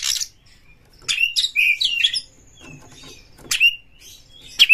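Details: Oriental magpie-robin, lure song meant to stir a bird to fight and breed: a sharp opening note, then a dense burst of fluttering whistles, quiet twittering, and single clear downslurred whistles near the end.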